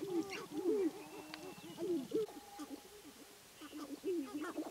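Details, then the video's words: Sharp-tailed Grouse males at a spring lek in the Namekagon Barrens, Wisconsin, displaying for hens. Low, curving coos and hoots follow one another closely, some rising then falling. A faint thin whistle runs beneath them. "Sharp-tailed Grouse Lek"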